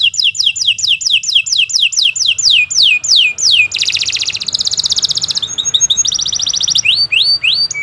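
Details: Canary song for training future champion birds: a string of quick descending whistled notes, then a dense metallic roll and chattering trills, with a low hum beneath.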